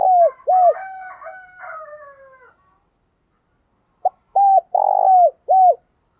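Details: Spotted dove, a decoy bird, calling loudly to lure and stimulate other doves: short arched coos around the same pitch, repeated in quick pairs, then a longer drawn-out sliding note, a pause, and another burst of several coos.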